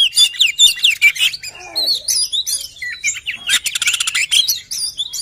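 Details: An oriental magpie-robin delivers a busy, varied song of quick whistled notes, scratchy chatters and clicks, with a rapid rattling trill partway through.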